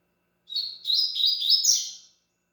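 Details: Double-collared seedeater singing a short, rapid phrase of high, bright notes that step up and down, ending on a slightly higher slurred note, lasting about one and a half seconds; a faint tap is heard partway through.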